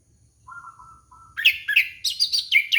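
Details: Orange-headed thrush song used to lure a young bird: two drawn-out low whistles, then a rapid run of loud, bright, chirping notes climbing and falling in quick succession.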